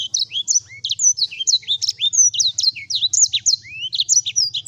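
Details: Sanger singing hard: a quick stream of bright chirps, high downslurred and upslurred whistles and short trills, the notes tightly packed, with a soft steady low hum behind.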